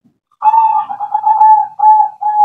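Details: A local wild-caught zebra dove (perkutut), one of three kept about two months and being tested for song quality, gives a soft, mid-pitched purring coo held about two seconds with a few brief breaks.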